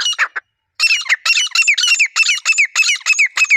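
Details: Wild grey francolin pair in a pair-bonding chorus: three quick rasping notes, a brief gap, then a fast run of loud grating calls with falling whistled tones, repeated about three times a second.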